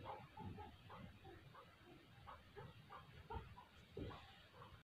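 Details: Chukar partridge, said to be ready for fighting, gives a rapid string of short, throaty clucking notes, several per second, over a steady low rumble of background noise.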